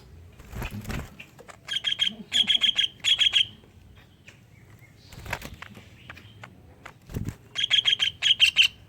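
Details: Greater green leafbird song with kingfisher-style fill-in notes, used as a lure to prompt other leafbirds to sing: three bursts of rapid, harsh, repeated notes separated by quiet gaps and a few dull thumps.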